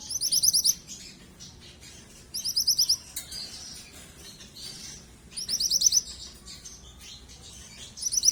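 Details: Yellow young mantenan bird calling without pause, giving rapid bursts of high, thin chirps in series about every two and a half seconds, with faint twittering and a steady low hum between.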